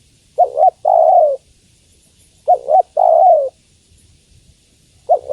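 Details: Female spotted dove calling the male: soft deep cooing, each phrase a double wavering note then a long falling coo, repeated about every 2.1 seconds, with another phrase just starting at the end.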